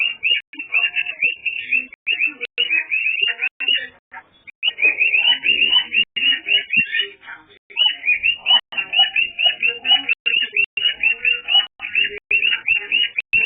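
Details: A pet cockatiel chatters nonstop in high, warbling whistles and trills, protesting loudly while its owner tries to watch TV.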